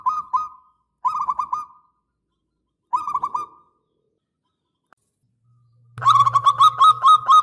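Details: Loud local Zebra Dove, used as a lure to draw a reply. Three short clipped coo phrases are followed by a longer rapid trill of repeated notes, with a low mechanical hum in the background.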